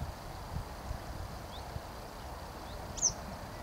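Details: Western yellow wagtail in May 2023: after a couple of fainter thin notes, a single sharp, high slurred call near the end, over low rumbling outdoor noise.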